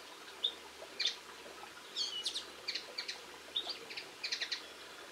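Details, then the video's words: Linnet song recorded on 22 March 2016: a run of short, bright twittering chirps and clipped notes, some in quick doubled bursts, spread evenly across five seconds over faint background hiss. "Linnet Birds - Video, Bird Song and Sounds"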